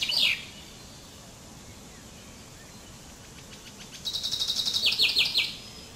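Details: Common chaffinch (Fringilla coelebs) singing: a single sharp descending note opens, then after a quiet pause a fast high trill of repeated notes runs into a short series of steeply falling strokes, over soft background hiss.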